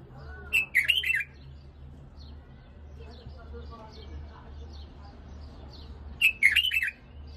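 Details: Tutoring song for an Iraqi White-eared bulbul: a quick liquid warble of several slurred notes, then a long pause with faint soft chirps, then the same bright phrase repeated near the end over a low background hum.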